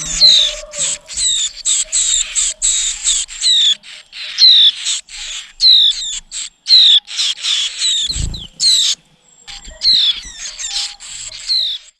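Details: Oriental white-eye feeding its chicks at the nest: dense, rapid high chirps and thin descending whistled notes, about one a second, forming near-continuous twittering, with a brief dull thump midway.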